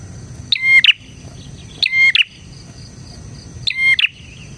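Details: Bar-winged prinia singing vigorously, a recording meant to attract and tutor prinias: three sharp metallic chirp bursts, each with a rasping tail, roughly every 1.6 seconds, with a faint high insect drone throughout.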